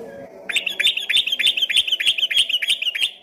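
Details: Fast 'ropel' singing from a vocal yellow-vented bulbul, first mistaken for a straw-headed bulbul; a dense volley of high repeated chirps, about three each second, after a low murmur.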